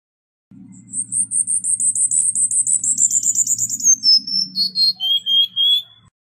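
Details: Cuban bullfinch song: a long run of high pulsed notes drifting downward, then lower whistled fragments and a steady whistle, over a continuous low hum.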